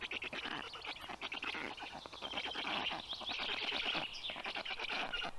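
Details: At a Black stork nest during a chick feeding, mid-morning on 18 June 2022, a steady stream of raspy, rapidly ticking wheezes runs almost without a break, growing slightly louder midway.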